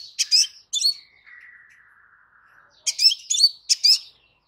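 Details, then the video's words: High, buzzy chirps of a crimson sunbird, meant to get another bird to reply fast, broken by a long, lower, gently falling whistle before a final burst of five quick chirps. "Cukup 1 menit ..!!! Burung KOLIBRI SEPAH RAJA anda asektika langsung NYAUT"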